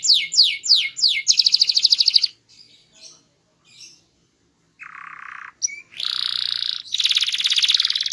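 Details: Loud, melodious small-bodied canary in full varied song: fast falling sweeps repeated quickly, a rapid pulsed trill, a short pause with soft notes, then lower buzzy rolls and bright trills.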